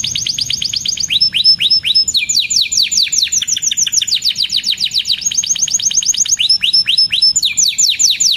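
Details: Energetic canary pouring out fast cuit-cuit song: rapid downward-sweeping chirps in long rolling runs, with higher thin notes and short trills woven through, loud and continuous throughout.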